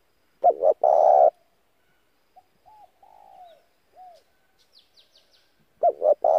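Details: Spotted dove decoy used to lure and provoke other doves: loud hoarse two-part coos open and close, with softer drawn-out descending coos between, plus faint high chirps.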